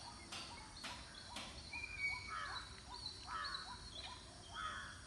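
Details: A family of Lesser Whistling Ducks gives thin, wheezy whistles in short bursts about once a second, several birds overlapping, with some sharp clicks at the start.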